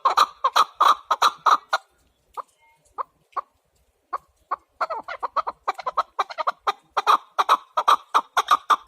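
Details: Chukar partridge calling in fast runs of harsh, clucking chuk notes, a brief sparse pause in the middle, then the rapid repeated series resumes.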